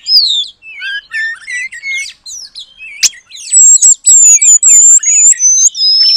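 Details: Kacer (oriental magpie-robin) song in gacor style, carrying long-tailed paradise bird material: a varied warble of slurred whistles, one sharp snap midway, then a loud series of high, pure whistled notes.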